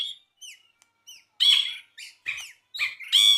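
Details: Brinji (bulbul) singing actively in a tutor recording: short clear whistled notes and slurred upward and downward phrases, broken by bright harsh chattering bursts, with brief silences between phrases.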